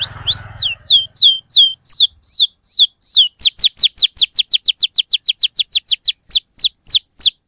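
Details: Canary song used as a lure to prompt young canaries to respond and learn, with ngriwik and cuit-cuit phrases: rapid high downslurred whistles repeated steadily, speeding into a fast sweeping series in the second half.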